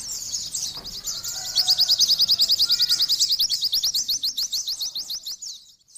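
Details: Oriental white-eye singing vigorously: a high, hurried jumble gives way to a long, regular trill of bright staccato notes that slowly fades, followed by a moment of quiet.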